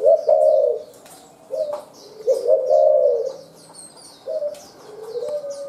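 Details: Wild-caught spotted dove coos repeatedly in low, rough, slurred phrases, each about a second long, with fast dense 'lèo' and few 'chu' notes. Steady high chirping of other birds fills the background.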